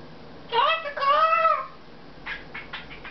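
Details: Pet Congo African grey parrot indoors, flattering its owner and later telling them to shut up; two clear voiced phrases with a long smooth rising-falling whistle-like tone, then softer clicks and chatter.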